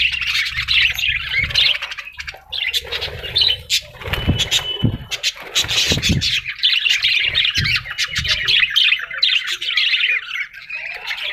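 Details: Harsh, high parrot chatter with rapid squawks and chirps, joined by a few low thuds in the middle of the recording.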